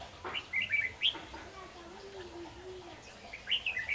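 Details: Red-whiskered bulbul serving as a decoy in bird trapping, chattering whistled notes at start and end, with a low steady hum between them.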